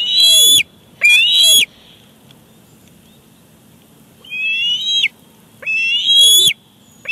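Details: At a Big Bear Lake eagle nest on 18 July 2019, the male bald eagle delivers a fish and the chick grabs it. Two short, loud whistled squeals, then a pause, then two longer calls that rise and level off.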